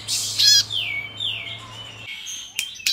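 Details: Bar-winged prinia (Prinia familiaris) song: high buzzy bursts of chips and a few slurred, falling whistles, ending in sharp clicks, over a faint steady low hum.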